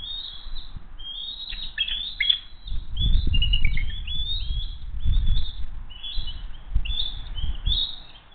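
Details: At Hays on an evening in June 2023, an eagle family arrives for dinner. Bald eagles give rapid, high chittering chirps about four per second, with some notes falling in pitch, over a low background rumble.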